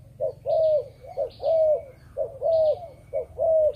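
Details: Captive Malaysian spotted dove giving its 'chụp chụp ô' coo: a short clipped note, then a longer full hoot that falls slightly, repeated regularly about once per second.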